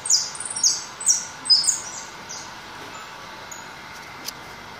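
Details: A white goldfinch gives a quick burst of high, thin, downward-slurred twitters over the first two seconds, then falls quiet apart from one faint later note and background hiss.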